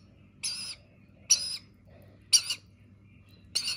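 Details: Rainbow lorikeet chick at feeding time giving harsh, raspy squawks, short bursts about once a second with quiet gaps between them, over a low background hum.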